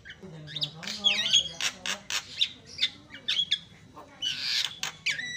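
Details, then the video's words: A Javan pied starling in full song pours out harsh squawks, rasping chatter and sharp high whistles in quick bursts, calls meant to provoke other starlings, with a faint low voice underneath. "PANCINGAN PALING AMPUH JALAK BISU"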